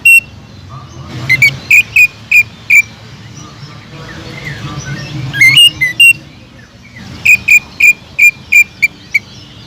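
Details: Greater green leafbird song meant to lure other leafbirds, a row of sharp whistled notes, a quieter gap with a few rising notes, then another quick series of bright, evenly spaced whistles.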